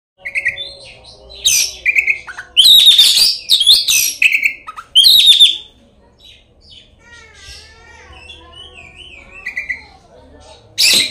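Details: An Oriental magpie-robin sings a full, rich, varied repertoire as a lure recording meant to provoke rival magpie-robins into singing: clear high whistles, loud harsh rasping bursts and rippling warbled phrases, separated by brief quieter pauses.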